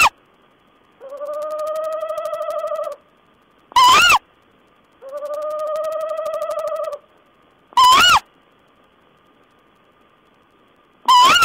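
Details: Owl calls recorded 14 April 2010: two long, wavering, tremulous harmonic notes about two seconds each alternate with short, very loud, harsh screeches that bend upward, pattern repeating roughly every four seconds in a quiet setting.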